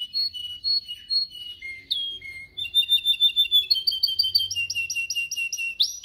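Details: Canary singing, played to teach canaries their song: varied whistled notes and low drawn-out tones, then a quick series of bright repeated syllables that speeds into a dense trill.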